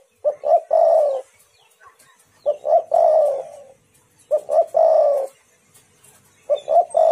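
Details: Repeated lure call of a spotted dove to make other doves respond: four phrases, each two short notes and a long, hoarse, falling coo, coming roughly every two seconds.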